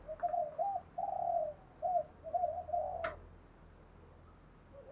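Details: Decoy spotted dove cooing to stir wild birds to fight; a run of soft, hollow coos including one long drawn note, with a sharp click and low background hum.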